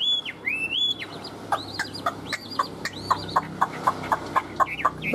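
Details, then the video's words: Caged Chinese hwamei kept as a songbird, described as in peak singing form: loud clear whistled phrases that rise and fall, followed by a run of short repeated notes about four per second, with people talking and faint music behind. "Họat Họa Mi"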